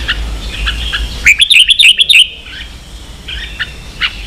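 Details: Red-whiskered bulbul singing in the 'ché' style, a recording used to train young birds to sing and rouse kept birds; a quick burst of bright, sharp whistled notes packed tightly together, with softer scattered chirps before and after.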